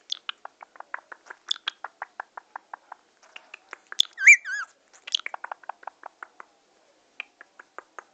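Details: Indian ringneck parakeet, said to be happy and in love, chattering: a fast run of short sharp chips with a brief warbled, wavering squeal in the middle, then more chips trailing off.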